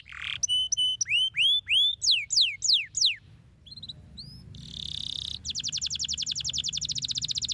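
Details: Canary song used to stimulate lazy canaries to sing: a series of clear whistled notes, some upswept and some falling, repeated about every third of a second, then a buzzy burst followed by a rapid, regular trill of quick descending notes; faint low hum underneath.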